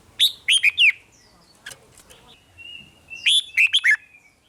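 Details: Thai red-whiskered bulbul song meant to rouse caged birds: two bursts of four rapid, sweet slurred whistles joined by a thin drawn-out note, with faint softer chirps and low background murmur between them.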